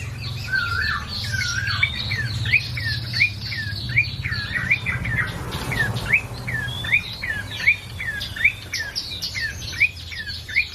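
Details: Bar-winged prinia singing nonstop, an even series of short upward-flicked chirps repeated more than once a second over a steady low hum.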